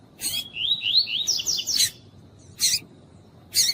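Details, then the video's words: A female double-collared seedeater calls to stimulate the male with about eight bright, rising slurred whistles in quick succession, framed by loud clicking noises. "COLEIRO TUÍ-TUÍ COM FÊMEA CHAMANDO PARA ESQUENTAR COLEIRO TUI TUI"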